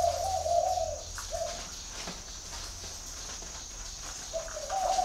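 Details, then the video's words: Spotted dove at Ba Vì, Hanoi, Vietnam: a long soft coo and a short one at the start, quiet for about two and a half seconds, then two more coos near the end, with a steady high hum. "chim cu gáy gọi"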